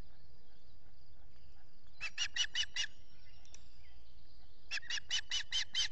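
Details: Osprey on its nest feeding young, Salt Point in New York's Finger Lakes area, US, shortly after 5:30 a.m. on 14 June 2021, via nest camera: two short runs of five or six shrill chirps separated by a pause, faint hiss behind.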